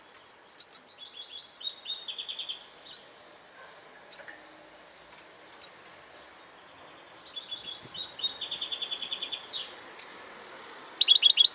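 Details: European goldfinch singing bursts of fast, high, tinkling twitters mixed with buzzy trilled runs, broken by pauses and single sharp notes, over a low hiss.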